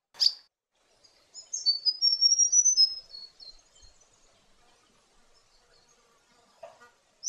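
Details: White-breasted robin in wetter forest of south-western Western Australia: a high sweet warbled phrase of thin whistles and trills lasting about a second and a half, with a sharp chip before and faint knocks after.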